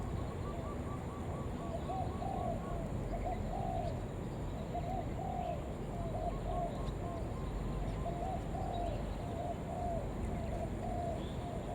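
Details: Decoy spotted dove calling to attract other doves, cooing almost continuously in soft, rounded, repeated notes, a second faint dove cooing higher early on, over a steady low hum.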